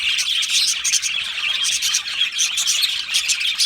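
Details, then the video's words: Captive budgies chirping and singing as a flock, rapid bright tweets and buzzy warbling running together without a break. "Beautiful Budgie singing and chirping sounds"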